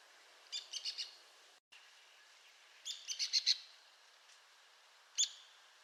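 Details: Arizona woodpecker calling: a quick run of four sharp, high, clipped notes, then a brief gap, then another tight series of five sharp notes and one lone note near the end; quiet background.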